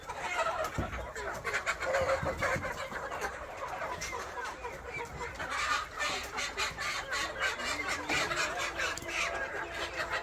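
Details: KUB village chickens kept on a farm in Aceh Besar, a dense flock chorus of overlapping clucks and squawks, with short sharp calls rising above a steady hubbub of many birds.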